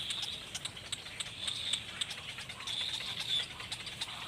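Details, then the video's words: Black bird babies in a nest give a thin, high, continuous whining note, broken by frequent sharp ticks and brief louder squeals. "black birds and babies In nest"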